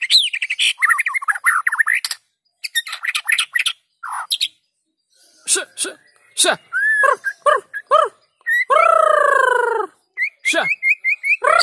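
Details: White-rumped shama (murai batu) song used as a lure to get lazy shamas singing: a varied run of squeaky chirps, buzzy bursts and twisting whistles, ending with a long, rich, downslurred whistle and a rapid series of high notes.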